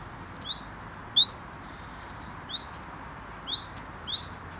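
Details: Chiffchaff nesting in a garden in the UK repeats its quick rising alarm note five times, with one louder, sharper upswept note standing out near the start.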